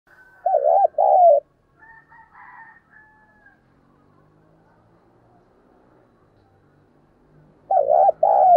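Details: Decoy spotted dove giving thúc and calling coos: a short burst of low, wavering hooting notes, a long pause with faint murmuring, then another cooing phrase at the end.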